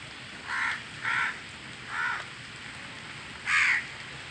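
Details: Crows calling while feeding in the rain alongside pigeons: four harsh cawing notes, each about a quarter second, spaced unevenly over four seconds, over steady rain hiss.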